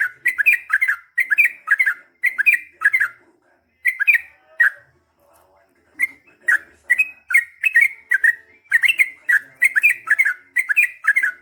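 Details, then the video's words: Yellow-vented bulbul in full, long rolling song: bubbly, warbling two- and three-note phrases repeated in quick runs, with a short gap midway before the lively phrases resume. "KICAU SUARA trucukan gacor GARUDA ROPEL PANJANG"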